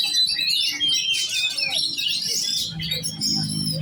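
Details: Young oriental magpie-robin in contest condition, singing bright, tumbling whistles and trills without a break. A low droning hum rises under the song toward the close.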